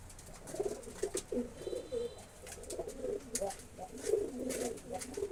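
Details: Kept pigeons from a pigeon-rearing setting give low, rolling coos that overlap and repeat through the clip, with sharp clicks and rustling bursts between them.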